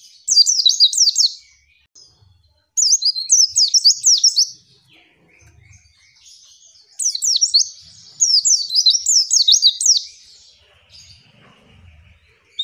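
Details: Female white-eye calling to provoke males, used to lure quiet or flock-kept birds into answering quickly as in the wild. High, rapid twittering chirps come in three bursts of one to three seconds, separated by short pauses.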